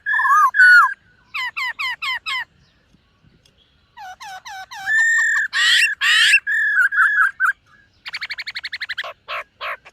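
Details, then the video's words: Silver-eared laughingthrush practising its voice in the morning, delivering varied phrases: clear slurred whistles, quick rising note series, harsh rasping bursts and a final rapid trill of short notes, with brief silent gaps. "Khướu BẠC MÁ hót MÚA luyện giọng . Khướu hót sáng luyện giọng kích bổi"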